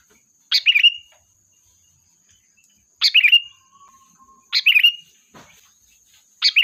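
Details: Sooty-headed bulbul calling the flock as a lure: four bubbly chirping phrases about one and a half to two and a half seconds apart, with a soft steady hum and a brief click between.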